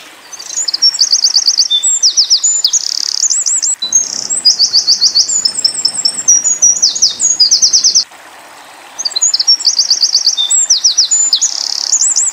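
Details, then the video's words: Eurasian wren song used as a training recording for white-eye birds: loud, very high trills and quick metallic notes in three long phrases, each lasting several seconds and separated by short silences. "Masteran PLECI Tembakan Winter Koning / Wren"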